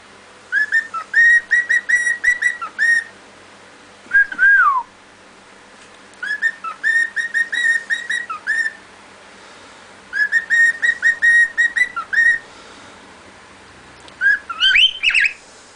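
A cockatiel whistles bursts of rapid, evenly repeated notes, broken by a few downward-sliding slurs.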